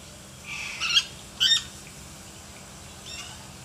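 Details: Lory from a bird collection, described as gacor (a lively, vocal bird), giving two loud, harsh squawks close together, each with a brief buzzy harmonic edge. A fainter third squawk follows after a pause.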